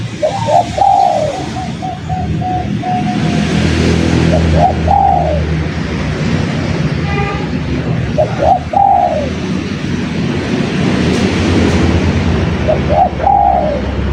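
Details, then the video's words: Repeated song of a spotted dove: four similar phrases, roughly every four seconds, each a couple of quick notes then a longer falling coo. Constant traffic-like rumble underneath, with a faint brief chirp midway. "Suara Burung Derkukur Gacor//Pacingan Derkuku Top"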